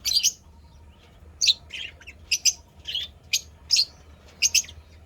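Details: Pet lovebirds, described as happy, chirping in short sharp bursts repeated about every half second to second, bright and high, over a faint low hum.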